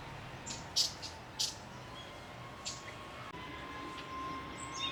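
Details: Red-billed leiothrix, several birds calling in a thicket, giving short harsh high 'jiji' notes; a few separate buzzy chirps spaced irregularly over five seconds against quiet background hiss.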